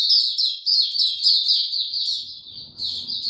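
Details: Caged white-eye, a bird called Hercules, opening into song without health supplements: a fast, continuous run of high, thin, twittering notes with slurred downward phrases, briefly dipping before resuming; faint low background rumble.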